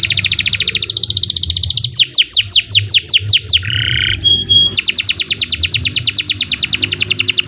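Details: Canary singing in long phrases, intended for tutoring other birds: fast high trills, a run of steeply descending whistled sweeps, a short lower buzzy note, then another rapid, even trill carrying on to the end, with faint low hum beneath.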